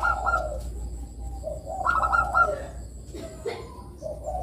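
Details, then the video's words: Bangkok-type zebra dove singing to lure young doves into song: soft, mellow cooing notes, a short low coo followed by a sustained warbled coo and further trailing coos, over a steady low hum. "Pancingan Suara Perkutut Bangkok Kutut Bangkok Gacor Manggung Bagus Buat Mancing Kutut Remaja Bunyi"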